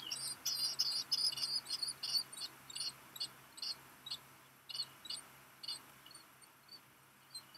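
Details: Young black guillemot at a Seal Island National Wildlife Refuge nest, Maine, 13 July 2021 around noon, begging as a parent brings rock gunnel; shrill high peeps in quick bursts, loud at first, then sparser and fading.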